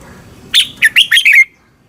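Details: Red-whiskered bulbul, a caged bird in Thailand, song played to train birds or excite them: one short phrase of four quick, bright, warbled whistled notes, with faint low background hum.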